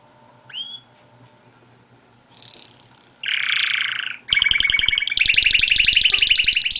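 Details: Canary singing. A thin upslurred whistle and a rising sweep lead into a harsh buzzy phrase, then fast, loud, ringing rolled trills at two pitch levels over a steady low hum.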